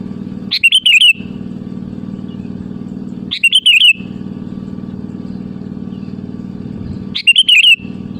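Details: Sooty-headed bulbul singing to call rival birds: three short bubbly whistled phrases roughly every three to four seconds, separated by long gaps filled with a low steady hum.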